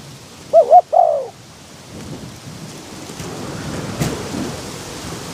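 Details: Decoy spotted dove calling to draw in wild doves in strong wind; one brief double coo with a trailing descending note, then gusting wind and rumbling noise fill the rest.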